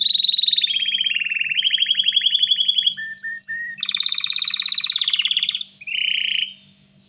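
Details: Male canary in breeding condition singing to attract a female: an almost unbroken stream of fast rattling trills and rolls, briefly broken by short chirped notes, ending in a high buzzy phrase and a steady low hum.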